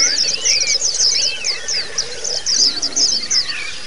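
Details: Pleci (white-eye) song used as training audio for birds that only twitter, meant to teach ngalas and ngerol styles; rapid high twittering notes with lower whistled slurs, dense and continuous.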